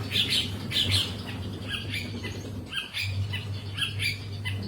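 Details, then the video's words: Long-tailed shrike in full, lively song: rasping, squawky notes in short clusters, loudest at the start and then a little softer and more varied, over a constant low electrical-sounding hum. "BURUNG CENDET GACOR"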